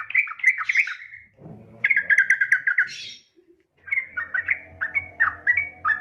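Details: Female yellow-vented bulbul calling to males, giving bubbly, chattering phrases of quick warbled notes in short bursts, with a low hum beneath.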